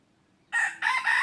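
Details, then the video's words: Red junglefowl crowing during decoy trapping of wild junglefowl, 23 January 2022: a silent start, then a loud harsh two-part crow, a strong opening note, a brief dip, then a sustained rasping phrase. "ต่อไก่ป่า Dib qaib qus tuaj zoo heev"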